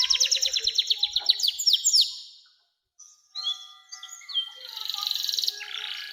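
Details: Canary in full song, used to coax young canaries into singing and as master song: a fast rolling trill of repeated descending notes, a brief silence, then scattered whistles and a dense buzzy phrase.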